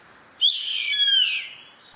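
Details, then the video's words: Single harsh, rasping cry of a yellow-headed caracara (gavião carrapateiro), a buzzy high scream of about one second that starts abruptly and fades as it drops slightly in pitch, with near silence around it. "Som do gavião carrapateiro cantando,canto do gavião carrapateiro"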